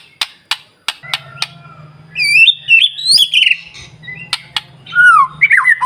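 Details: Shama song for provoking other shamas: a few sharp clicks over a low hum, then high rising whistles and a descending slurred phrase.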